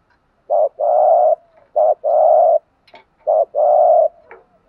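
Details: Spotted doves, both sexes, cooing to provoke a trained bird: three crisp pairs of a short coo and a longer level one, with small clicks in the gaps, otherwise quiet.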